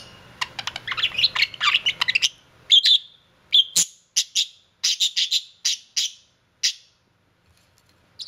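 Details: Kissing budgerigar with dense scratchy chattering for about two seconds, then a string of separate sharp clicking chirps at irregular intervals in a quiet room.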